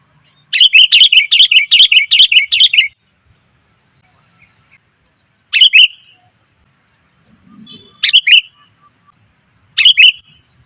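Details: Lure recording of a female sooty-headed bulbul calling males: a two-second run of rapid, bright chirps, followed by three short chirp bursts spaced a few seconds apart in quiet.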